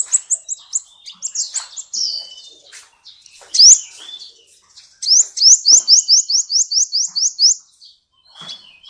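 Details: Full-content sunbird song, Kolibri Ninja type, for tutoring magpie-robins and shamas: tumbling high twitters, one loud rising note, then a regular series of about a dozen upslurred chirps.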